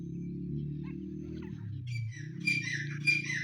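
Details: Black francolin chicks giving short high peeping chirps, two sharper notes about half a second apart near the end, over a steady low hum that fills the opening seconds.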